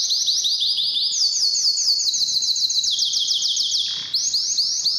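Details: A canary sings a training song to stir both sexes into breeding. It is a continuous run of very fast high trilled tours. Each tour holds a steady pitch, then steps down slightly to a new tour, with a brief break near four seconds.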